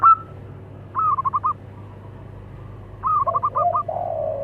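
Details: Local zebra dove pair, male and female, calling back and forth: a short opening note, then two rapid chattering coo series separated by a gap, the second ending in drawn-out lower purring notes.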